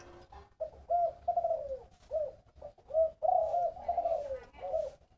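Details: A spotted dove delivers 'thổ bầu' voiced coos: a few clipped hollow notes followed by drawn-out, gently descending ones, loud and clear against little background noise.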